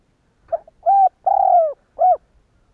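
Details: Spotted dove giving its provoking coo to set other doves cooing. A light introductory note, then three mellow low coos, the middle one long and slightly rough, with faint low thumps underneath.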